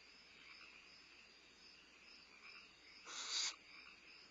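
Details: Barn owl owlet at Starr Ranch on 22 May 2011, limping and using its wings for balance while having a midnight meal at night; one harsh, hissing screech of about half a second over a steady chorus of crickets.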